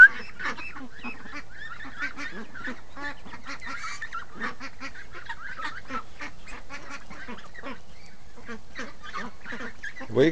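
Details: Morning flock of free-range ducks up early, a long run of choppy, buzzy quacks repeating steadily, ending with a loud low bump.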